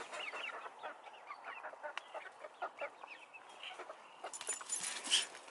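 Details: Chickens and roosters kept in a coop, giving a busy run of short, repeated clucks from several birds, rising to a louder squawk near the end.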